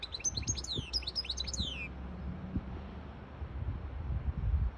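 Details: Hybrid goldfinch song aimed at tutoring young birds and exciting a female goldfinch to mate; a two-second flurry of high twittering and descending slurred notes, followed by quiet background hum.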